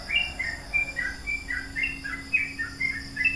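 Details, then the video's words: Yellow-vented bulbul singing a long, unbroken chattering song; bubbly, mid-pitched warbled notes follow one another rapidly and continuously, with a steady faint hum behind. "Trucukan ropel panjang,trucukan gacor"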